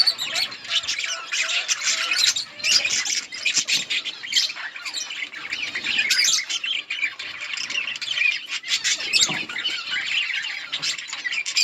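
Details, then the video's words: Colony of budgies eating outdoors keeps up an unbroken chorus of overlapping chirps, grating squawks and warbled phrases. "Budgies parrot eating and chirping sounds budgies birds in budgies outdoor colony"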